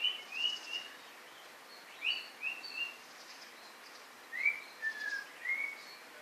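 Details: White-rumped shama giving clear whistled phrases of two or three upslurred and downslurred notes, with pauses of about a second between groups, against faint background noise.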